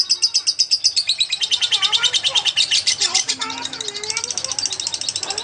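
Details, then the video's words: Lovebird singing rapidly, used as a model for training magpie-robins: dense chattering trills repeated several times a second, high and buzzy, with lower whistled slides mixed in throughout. "Burung Love bird gacor untuk isian murai batu"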